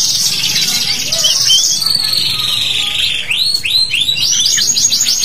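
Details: Canary song used as a lure to draw young canaries into singing; a long, high, sustained buzzy trill slowly drifting lower, then a run of quick rising chirps.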